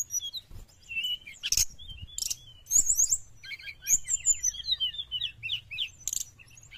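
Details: Lure song of the Sooty-headed bulbul for wild birds: scattered high whistles and twitters build into rapid chattering phrases, broken by sharp clicky bursts, over faint low background noise.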